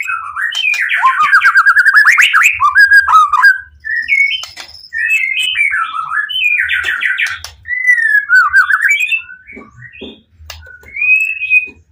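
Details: Provocative song from a captive white-rumped shama meant to make other shamas answer: dense, continuous warbling and rapid trills broken by brief pauses, then clear sliding whistles toward the end.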